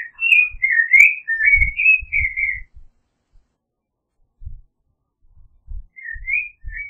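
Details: Creamy-bellied Thrush, Turdus amaurochalinus, singing a run of fluty whistled notes that slur up and down, then falling silent before a brief final phrase. Soft low thumps and rumbles are heard throughout.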